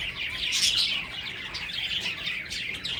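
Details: Breeding finches calling in a continuous, busy chorus of high, thin chirps and tweets. The chirps overlap densely throughout with no clear pauses.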